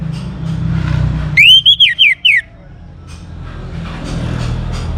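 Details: Young orange-headed thrush, singing to spur other birds, delivers one loud phrase of arching whistled notes ending in short downslurs, surrounded by rumbling background noise.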